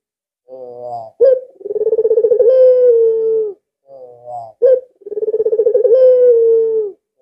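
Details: Two full phrases from an albino ringneck dove that calls often and serves as a lure: soft stuttering lead-in notes, a sharp accent, then a long throbbing purr ending in a level coo.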